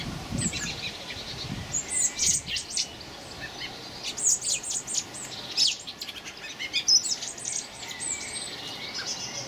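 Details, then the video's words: Young common blackbirds recorded on 26 May 2018: scattered bursts of thin, very high chirps and squeaks, some in quick clusters, over a steady background hiss. "Blackbird Young"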